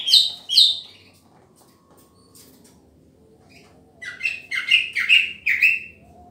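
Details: Green leafbird in a pairing session: two sharp high chirps, a pause of faint ticks, then a rapid series of bright whistled notes, about five in a row.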